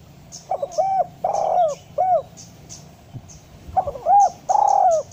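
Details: Spotted dove call, meant to get lazy doves calling; soft short coos, a long rolling coo and a brief end note, repeated about four seconds later, with faint high chirps in the background.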